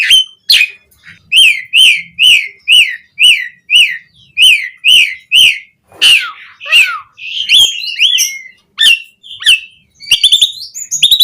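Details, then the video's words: Jalak suren singing loudly in a varied style used to coax captive starlings into song. A long series of bright, repeated whistled slurs, then twisting squeaky phrases and quick high chirps toward the end. "Suara Jalak Suren Gacor Full Isian Variasi"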